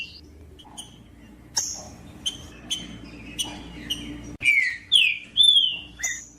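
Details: Green-winged saltator female calling alongside a singing male, meant to prompt a quiet male to sing: a few spaced high chips, then three strong clear whistled notes sliding down in quick succession at the end.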